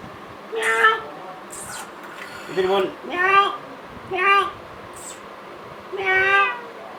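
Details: Talking Indian ringneck parakeet kept as a pet, mimicking human words: short, nasal, speech-like syllables spaced about a second apart, with pauses between utterances.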